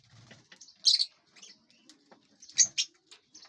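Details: Within a spacious aviary, lovebirds eating and flying give two loud bursts of shrill, scratchy high chirps about a second and a half apart, with faint clicks and wing flutters between.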